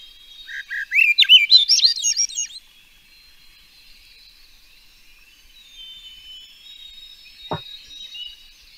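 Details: Swainson's Thrush, a fruit- and insect-eating migrant of Santa Cruz Mountains riparian spots that sings most in the evening, gives one fluty phrase of breezy notes spiralling upward for about two seconds; faint hiss and a single soft thump follow.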